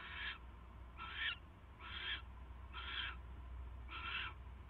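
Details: Barn owl at its nest late on a January 2016 night, 10:22 PM, arriving with a mouse. Five rasping, broadband screeches come at uneven intervals of about a second over a low rumbling background.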